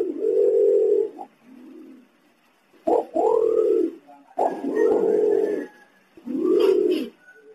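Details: Green imperial pigeon, a recording offered for luring wild birds to respond: deep, low humming coos at a steady pitch, each about a second long, some opening with a short sharper note, separated by brief pauses.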